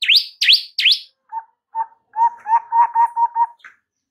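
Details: Master song of a white-rumped shama for caged-bird training: three loud swooping notes, then a quick series of short, lower notes, repeated and speeding up.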